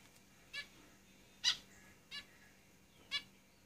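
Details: Zebra finches kept in a cage give four short, nasal, beeping calls about a second apart, faint over a steady low hiss.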